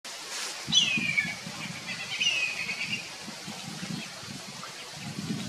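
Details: Kite in the Australian outback calling as it inspects people camping in its territory: a thin whistle sliding downward, then a second, softer descending whistle, over faint low voices and rustling.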